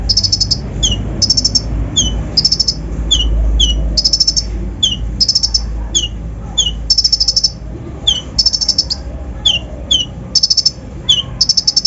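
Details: Kolibri ninja lure song used to provoke other birds: repeated bursts of rapid high trills, each opened by a sharp downslurred note, in quick series with short gaps, over low background rumble.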